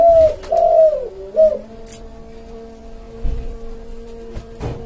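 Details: Spotted dove cooing, intended to lure wild birds: two or three soft coos at the start, then a steady electronic-sounding hum to the end.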